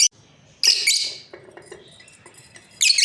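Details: Piercing chirps from a breeding pair of lovebirds come in a dense burst, then softer clicking notes and a second harsh burst of calls.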